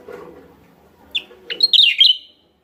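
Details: Javan myna lure call, West Java: a lone sharp note, then a rising upslur launching a dense burst of harsh, bright chattering notes lasting about half a second, over faint low background hum.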